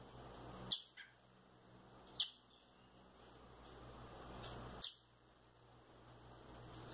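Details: Home-kept rufous-bellied thrush nestlings, one male and one female, give three shrill, high squeaks spaced unevenly across several seconds, with soft indoor hum in between.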